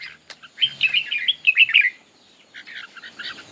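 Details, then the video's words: Red-whiskered bulbul singing in a contest while fanning out its feathers: a short run of warbled, bubbling mid-pitched notes, rising and falling, followed by a softer, quieter phrase of a few notes. "Chim Chào Mào Hót Đấu"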